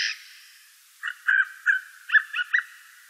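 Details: A Eurasian jay, recorded by day in 2018, gives a quick series of six harsh, rasping calls in under two seconds after a brief hiss at the start.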